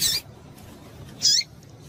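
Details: Calls of a female double-collared seedeater used to excite males: two brief, high-pitched, squeaky chips a little over a second apart.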